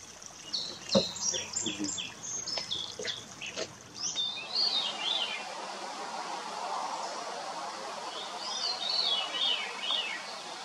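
Veery giving breezy, downward-spiralling flute phrases, two in about ten seconds, after a burst of sharp chirps and clicks from other birds over steady rushing water.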